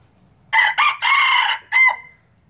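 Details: Pure Laos red junglefowl, a new breeder bird, recorded in 2016, crowing: a loud, harsh multi-part crow of three quick rasping bursts, a longer drawn middle note and a final rising note, over quiet background.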